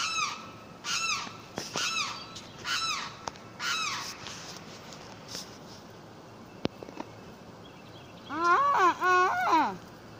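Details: A Limpkin repeats harsh, descending wailing calls at a quick pace for about four seconds. A sharp click follows, then a burst of lower, wavering, yodel-like cries near the end.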